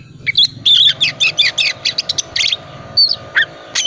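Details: Oriental magpie-robin, 'tipe dingin' type, singing with full 'isian' as a lure: a run of evenly spaced buzzy, scratchy notes about three per second, then scattered sharp whistles, over a soft low hum.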